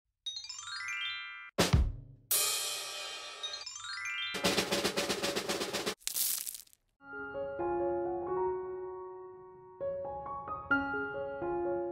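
Electronic music with rising synth sweeps, sharp drum hits and sustained tones, with no animal voice anywhere.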